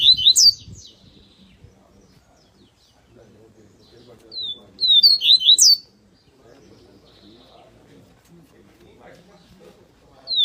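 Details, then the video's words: Coleiro paulista, the double-collared seedeater, singing tui-tui: bursts of sharp, high whistled notes, each sliding down then flicking upward, delivered in separate phrases about four to five seconds apart with quiet low hum between. "COLEIRO PAULISTA TUI TUI VELOX FIBRA"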